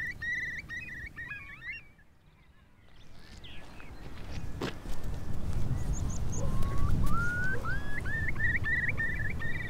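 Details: A Eurasian Curlew in the UK breeding season gives rising, slurred whistles that quicken into its classic bubbling call, over a steady low rumble of wind. The call is made on arrival in spring to establish territory.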